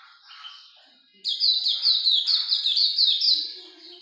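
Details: A Hume's white-eye breaks from a soft, thin note into a loud, fast run of high, down-slurred chirps that continues for about two seconds.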